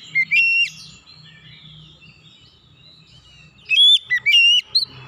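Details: Untrained oriental magpie-robin singing powerfully: two whistled notes open, followed by a quiet stretch with soft low murmuring, then a ringing phrase of three or four sharp whistles with quick pitch flicks.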